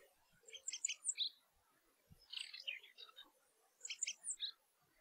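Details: Rock Bunting (Emberiza cia) giving three short bursts of high, thin, clipped notes about a second and a half apart, fairly faint over a soft hiss of background noise.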